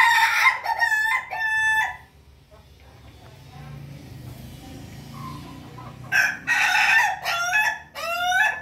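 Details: Pelung chicken crowing: a loud harmonic crow burst at the start, a quiet gap with low background noise, then another long rising and falling crow.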